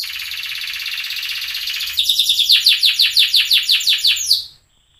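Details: Loper canary, unusually orange sunkist variety, in master song: two seconds of dense buzzy rolling, then a run of about eleven emphatic sweeping notes, each falling and rising, ending suddenly in silence.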